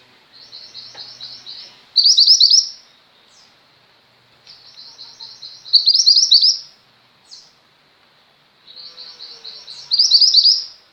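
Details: Three song phrases from a female mountain white-eye, kept as a tutor bird for pet white-eyes, about every four seconds: each opens with soft high rapid notes and swells into a loud, shrill, fast twitter.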